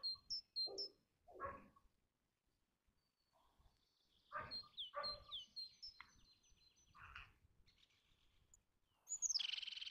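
Eurasian jay giving several harsh, raspy bursts spaced a second or two apart, with thin high whistled notes from other small birds between them.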